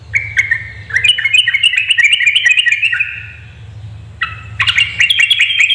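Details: Female yellow-vented bulbul calling to provoke males into singing; bright, bubbly chirping notes in quick irregular runs that step downward, a short pause, then another lively burst, over a low steady hum.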